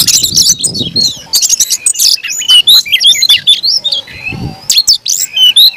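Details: A caged kacer, the Oriental magpie-robin, in agitated fighting song: rapid sharp chirps and whistled phrases, rising and falling, broken by short gaps, with a faint low rumble.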